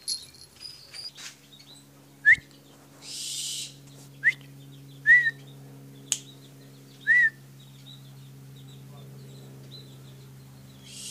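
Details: A pet barn owl gives five short, hooked, chirping notes two seconds apart, with one brief breathy hiss, over a steady low indoor hum.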